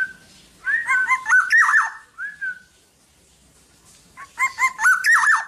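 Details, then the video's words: Tame, uncaged black-naped oriole singing actively: two bursts of fluid whistled notes, rising and falling, overlaid with harsh, buzzy rasps, separated by a short, lone slurred whistle. "BURUNG KEPODANG TANPA SANGKAR GACOR DAN JINAK"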